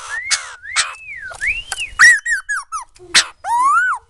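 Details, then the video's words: White-crested laughingthrush in song, giving rich arching whistles that rise and fall, broken by harsh bursts and a quick series of short slurred notes, ending on a long rounded whistle. "Khứu đầu bạc hót cực hay"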